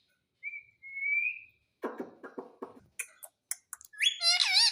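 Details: Pet Indian ringneck parakeet: a long thin rising whistle, then rapid pulsed clicking chatter, ending in loud harmonic squawky talk-like notes.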